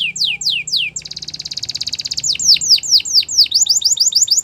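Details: Morning song of a yellow canary: three falling slurred whistles, a fast buzzy rattle, then quick swooping notes repeated in rapid succession.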